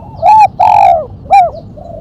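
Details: Spotted dove delivering the sharp one-'kuk' 'mercik' call used for luring and training birds: a short arched coo, a longer downward-sliding coo, then a quick clipped final note, loud and close.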